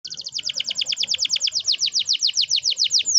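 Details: Canary singing a long rolling song, used to prompt young canaries to sing: a fast run of about twenty repeated downward-sweeping high notes, steady and even, ending in a brief high slur; faint low background hum.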